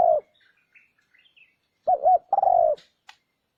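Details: Spotted dove lure call: the end of a coo, a quiet gap with faint chirps, then one phrase of two quick wavering notes and a long descending coo, followed by a short click.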